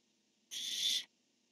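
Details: Barn owl at a nest camera, 10-1-15, during a male-female calling exchange: a single harsh, breathy screech lasting about half a second, rising slightly in loudness before cutting off.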